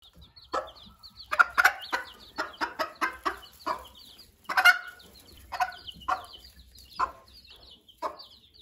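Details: Broody hen calling her chicks so they follow her and stay protected from predators: a run of short, clipped clucks, some in quick bursts, with the chicks' thin high peeps scattered throughout.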